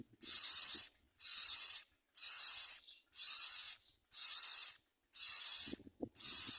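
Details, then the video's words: Common myna calls linked to feeding young: harsh, broadband hissing rasps, each about half a second long, repeated steadily about once per second, with faint low sounds between bursts. "Common myna Birds are very good at finding a lot of food to feed their young."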